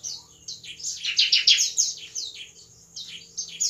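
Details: Night song of a bar-winged prinia, used as a lure for young birds: a rapid series of high, piercing, downslurred notes in quick succession, a pause, then further high bursts over a faint steady hum.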